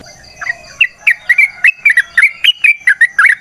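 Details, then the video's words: Wild yellow-vented bulbul, sound meant to lure other bulbuls: a lively string of short slurred whistles, about a dozen in three seconds, rising and falling around a steady middle pitch. "Trucukan GACOR ngalas ROPEL PANJANG suara alam AMPUH buat pancingan"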